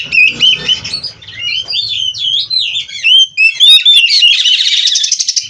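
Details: Oriental magpie-robin (kacer) from a breeding aviary, singing full 'isian' song with mimicry: rapid varied whistles, sweeping slurs and buzzy trills mixed, ending in a dense rattling burst.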